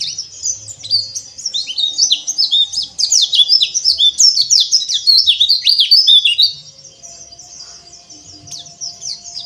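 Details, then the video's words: Pleci therapy song for oriental white-eyes, played to draw out ngeriwik twittering: a long, dense, fast stream of high chirps and sharp down-slurred notes for about six seconds, then quieter scattered chirps. "TERAPI PLECI AGAR NGERIWIK TELER"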